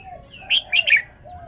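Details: Red-whiskered bulbul displaying its song phrasing: three sharp, bright whistled notes in under half a second, with faint low whistles before and after.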